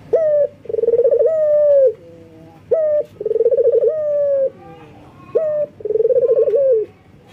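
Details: Male local collared dove in breeding condition calling females, delivering three regular phrases, each a clipped rising note, a fast vibrating stutter, then a sustained coo that slides down, about every two and a half seconds.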